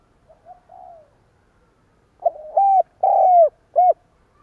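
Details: Low soft coos from a decoy spotted dove give way to a loud stuttering 'cà lăm' phrase: a jerky start, two long booming coos, then a short abrupt coo, with a quiet room otherwise.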